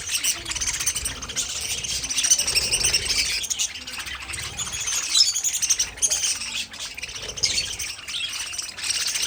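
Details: Colony of pet parakeets keeps up a dense high chatter of chirps, squeaks and short warbled phrases rising and falling in loudness.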